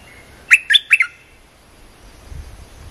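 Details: Cream-vented bulbul training song for young birds, heard as three quick, bright chirps in a half-second burst, followed by quiet with a soft low rumble.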